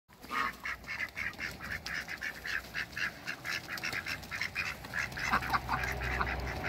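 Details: Four Pekin ducks, met on a waterbird farm, give repeated nasal quacking calls about twice a second, several birds overlapping in a steady chorus, with a low background hum throughout.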